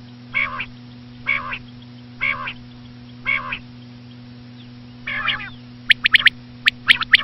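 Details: Common quail, said to be a female, in a hunting lure recording: five nasal, rasping notes spaced about a second apart, then a burst of quick, sharp triple notes, with a steady background hum.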